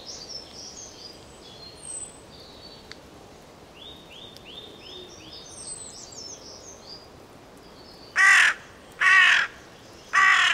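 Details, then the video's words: Carrion crow (Corvus corone) giving three loud, harsh, raspy caws in quick succession about a second apart near the end, after a quieter stretch of faint high chirping and twittering from small birds. "The call of the Carrion Crow"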